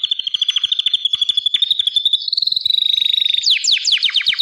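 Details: Gloster canary delivering a long, even, rapid trill that shifts slightly in pitch, then ends in a few loud sweeping downslurred notes.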